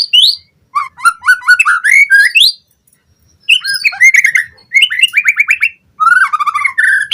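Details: White-rumped shama song used as a lure for captive birds: rapid rising whistles, repeated sharp chirps and rolling trills in three dense bursts, with short gaps between them.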